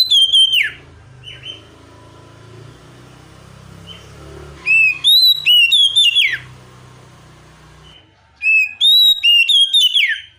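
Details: Oriental magpie-robin, known locally as kacer, in a tutor recording of imitation-filled song and calling tones. Bursts of bright, rapid whistles with plunging slurs recur about every four seconds over a low electrical hum.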